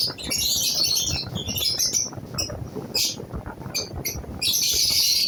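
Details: Lovebirds, a newly placed pair, giving shrill chirps in patchy bursts with short sharp squeaks between them, over a background of low rumbling noise.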